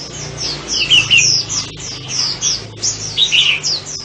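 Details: Sunbird song of rapid high-pitched slurred chirps, many short descending sweeps strung together with brief gaps.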